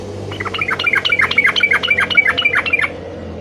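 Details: Yellow-vented bulbul in lively full song, used to call a rival: a bubbly, rapid run of short warbled notes about four per second for nearly three seconds, each dipping and rising, over a steady low hum.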